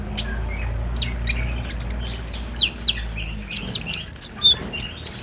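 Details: Olive-backed sunbird song meant to get a captive bird calling. A clear string of high, piercing chirps and quick slurred notes sits over a steady low hum.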